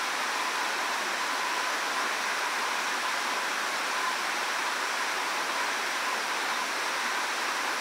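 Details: Unbroken rushing water, like a stream or waterfall, fills the whole stretch as a dense hiss with no clear animal call.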